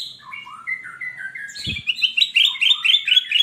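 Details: Golden bulbul (kutilang emas) kept in a cage as a keen singer, used to tutor newly acquired birds: descending whistled notes, then a single thump, then a long fast stream of loud, bubbling, warbled phrases.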